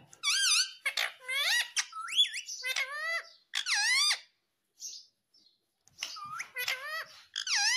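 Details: Talking pet parrot, said to say mummy and papa, producing speech-like phrases of bright, rising and falling harmonic syllables in short bursts, with brief pauses between utterances.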